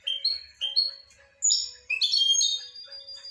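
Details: Goldfinch song in brief, bright chirps that rise into a dense, liquid twittering phrase, with a faint low steady tone in the background.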